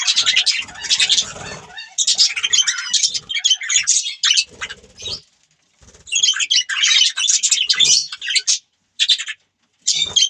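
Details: Budgies produce a busy, scratchy warble of rapid chirps and squawks in long bursts, pausing briefly before more chatter and a final short burst.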